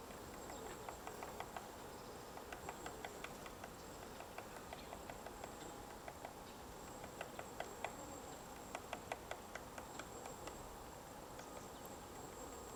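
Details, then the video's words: White-backed woodpecker digging a nest in a tree at Gongsanseong Fortress, Gongju, Republic of Korea, on the morning of 22 March 2024: sharp, dry knocks in irregular bursts and short clusters over a steady faint hiss. "둥지를 파는 큰오색딱다구리 White-backed woodpecker digging a nest"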